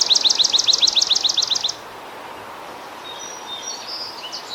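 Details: A swamp sparrow (Melospiza georgiana) sings a steady, musical trill of about a dozen repeated notes in under two seconds, followed by faint high chips from other birds.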